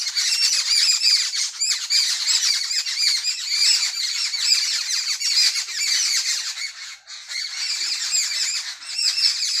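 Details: Early morning in a village, with a loud, unbroken chorus of sparrows: countless sharp chirps overlapping into a steady, shrill chatter for the whole stretch.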